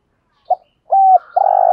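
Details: Spotted dove coo used to excite wild doves: a short soft note, a steady hollow coo, then a long buzzy coo that is cut off abruptly.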